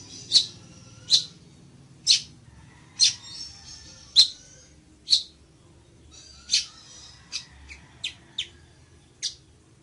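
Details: Village weaver giving short, sharp high chips spaced about a second apart, some quicker notes near the end, in a quiet setting.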